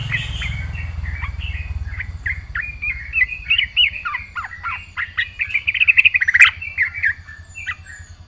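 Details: Actively singing trucukan, the yellow-vented bulbul, in 'gacor full isian' style: a long, chattering stream of varied chirps growing denser and louder toward the end, with a low hum beneath.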